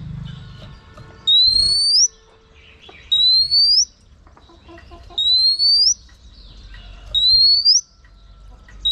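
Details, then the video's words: A female oriental magpie-robin whistles to rouse a male. A pure, rising, clear whistle repeats about every two seconds, four times, with faint background hiss between the notes. "chòe than mái HUÝT KÈM THÚC TRỐNG.chòe than mái kích trống căng lửa.chim chích chòe than mái hót"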